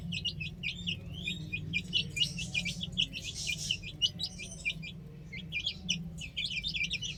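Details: Baby hens playing on a roof produce a dense chorus of high, rapid peeps and some slurred rising-falling chirps, many birds overlapping almost continuously, with a low background hum.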